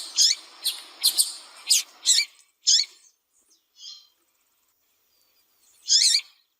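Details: Female double-collared seedeater calling a lot to excite a male: a quick string of high chirps, a few fainter spaced notes, a long silence, then one more loud chirp.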